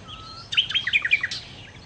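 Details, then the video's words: Nightingale phrase: a low, steady whistle, then a burst of bright, jumbled chirps and trills lasting under a second. "kicau Sikata Londo( Nightingale Birds )"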